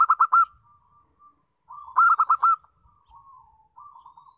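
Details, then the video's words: Zebra dove, local type, singing as a lure to set other doves singing. Two punchy bursts of four or five rapid ringing notes about two seconds apart. Soft burbling coos follow them. "Pancingan Perkutut Lokal"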